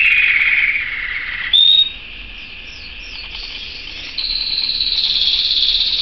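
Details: Singing canary delivering sustained rolling trills, shifting from a lower warbled tour to a brief sharp whistle and a higher buzzy trill, with steady background noise throughout.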